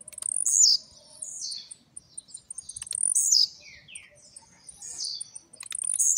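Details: Blue-black grassquit kept at home, finishing its molt, delivering fast trincadeira-style song: sharp high buzzy notes sliding downward, given roughly every two seconds, plus softer lower slurred notes and a faint regular ticking.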